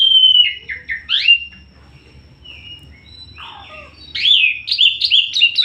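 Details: Asian pied starling in full gacor song: quick slurred whistles and a sharp rising note, a quiet pause with a soft falling phrase, then loud, rapidly repeated chattering notes.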